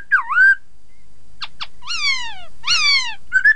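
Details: Chinese hwamei, poksay hongkong, played to spur rival birds into song: scattered fluting slurs, a pair of sharp clicks, then two long descending rich whistles before a final rising note.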